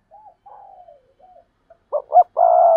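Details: Spotted dove giving soft, low coos that dip and wobble, then two short loud hollow notes and a long, steady, drawn-out coo at the end.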